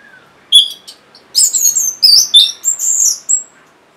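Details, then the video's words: Orange-headed thrush song used as a lure to prompt caged birds that have stopped or are lazy about singing: a brief low whistle, then bright, high, varied whistled phrases and quick slurred notes in a rapid burst. "C0COK Untuk Pancingan Burung ANIS MERAH Bahan Macet Ataupun Malas Bunyi"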